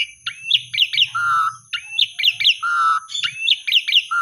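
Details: Asian pied starling song used to stimulate silent, sulking birds; repeated phrases of quick downslurred whistled notes, each ending in a long flat fluty note, about every second and a half, over a steady high whine and faint low rumble.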